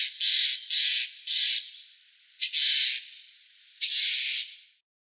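Common starling giving five harsh, hissing, rasping notes, each about half a second long, at an uneven pace of one to two seconds, with nothing else heard.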